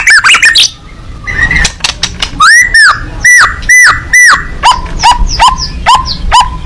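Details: White-rumped shama (murai batu), a fighting-type bird singing energetically with open beak: loud, clipped whistled notes, each an arching slur near one pitch, repeated quickly about twice a second after an opening burst of rapid notes.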